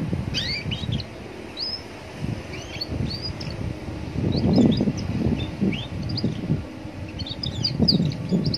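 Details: Roadside recording of a young Atlantic canary singing to draw replies from other canaries: sparse sharp chirps and brief upslurred whistles, partly masked by loud low vehicle rumble.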